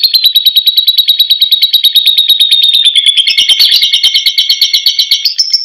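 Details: A lovebird delivers a long ngekek, the continuous chattering song used as a lure for other lovebirds: fast, shrill, machine-like pulses held steady, then turning rougher and rising toward the end.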